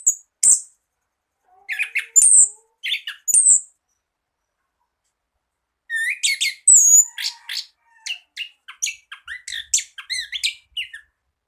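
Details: Orange-headed thrush (anis kembang) tutor song for birds reluctant to sing. Varied phrases of sharp high whistles, slurred notes and rapid chattering, arriving in short bursts separated by pauses, then a longer busy run of mixed notes.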